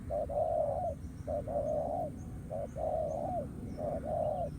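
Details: Spotted dove in the wild responding to a ground-trap decoy as a fighting challenge, giving low mellow coos: four phrases, each a short clipped note then a longer smooth coo, with faint distant chirps in the background.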